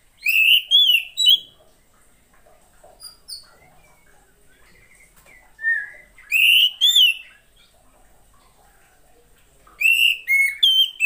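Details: Female Oriental magpie-robin, kept as a cage bird, whose voice is played to prompt reluctant males to sing: bursts of loud whistled, rising and falling notes with rapid chattering elements, three phrases separated by quiet pauses of several seconds.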